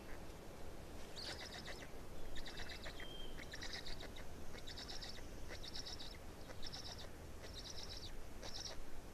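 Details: Estonian black stork chicks on 18 May 2019, fourth chick: rhythmic wheezy bursts about once a second with one brief pure whistled tone early on, backed by low steady noise.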